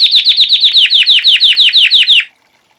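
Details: Classic campainha song of a white Belgian canary, for post-moult training: about two seconds of quick, clear, descending bell-like notes in a brisk repeated series, then the phrase stops abruptly and silence follows.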